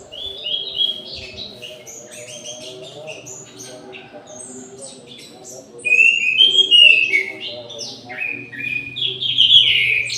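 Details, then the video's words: Orange-headed thrush singing at length at midday in an aviary. Varied high warbled phrases follow one another rapidly, softer at first and then louder and richer from halfway, with a low hum behind. "ANIS MERAH GACOR DI SIANG HARI"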